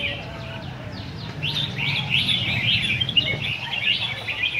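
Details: Red-whiskered bulbul competition singing among caged birds: a brief quiet start, then a dense, bright stream of rapid chirps and trills over a low background rumble.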